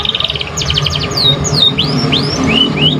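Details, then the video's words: Juvenile canary practising its song: a rapid rattling trill opens, followed by a run of clear whistled notes that dip and rise in loops, high-pitched and fast, with a constant faint electrical hum and low rumble behind. "Pancingan kenari paud baru belajar bunyi cocok buat rangsangan"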